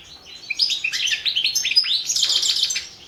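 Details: Goldfinch song from a championship entry: tumbling high chirps and rising slurred notes, ending in a rapid buzzy twitter.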